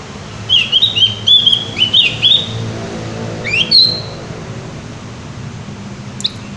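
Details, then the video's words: Energetic Javan white-eye song, a quick string of high, sliding chirps in the first half, one more bright note later, over a faint low rumble of background noise. "opior jawa gacor ngeplong"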